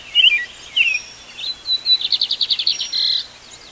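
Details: Wild birds at dawn, recorded live outdoors: a few loud, slurred chirps, then a clear run of about a dozen evenly spaced, buzzy notes, with fainter songbirds behind.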